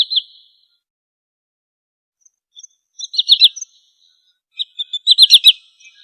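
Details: Sandpiper uttering brief clusters of sharp, high, rapid notes, first a pair and then tighter bursts of four or five. Faint scattered chips come between the bursts in a quiet setting.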